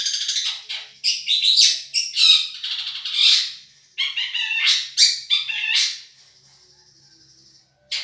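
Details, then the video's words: Madura long-tailed shrike with a champion voice, taped to tutor other songbirds: rapid, harsh, varied squawky phrases in quick bursts, then a long, thin, high whistle, a pause, and a final sharp note. "Masteran | Suara Juara Nih!!! Cendet Madura"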